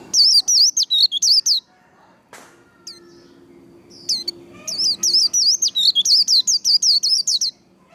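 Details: Vành khuyên líu, a white-eye's fighting song used to train and excite singing: short flurries of fast, high, wavering whistles separated by a pause with a sharp click and scattered single notes, then a longer rapid run.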